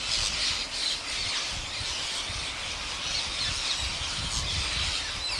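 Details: Wild parrots in large numbers at a farmer's daily feeding in India, a dense chorus of overlapping shrill squawks and screeches forming a continuous wall of sound, with low rumbling noise beneath.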